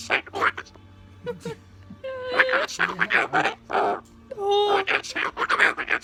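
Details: Pet corella talking and coughing: a string of voice-like, speech-mimicking phrases, including two clear tonal whistled syllables that bend upward, mixed with harsher breathy bursts.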